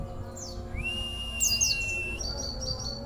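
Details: Oriental white-eye, a local contest bird with an unusual song: a few high chirps, a long steady whistle, a short twitter burst and level piping notes, softer over constant low hum.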